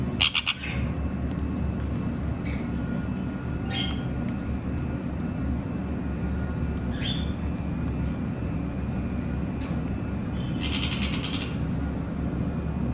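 Conures give harsh, scratchy squawks in short bursts over a steady low hum.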